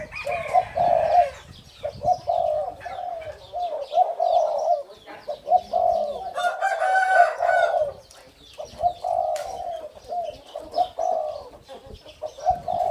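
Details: Pair of caged male Spotted Doves from the hybrid 'sai din' line, kin of the father, crowing as they walk and hop. Repeated low coos fill the recording, with scattered high chirps and a short burst of noise midway.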